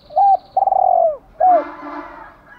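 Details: Decoy female spotted dove calling to stimulate males: one short coo, a long purring falling coo, then a final hooked coo, followed by a broad, noisy rustle.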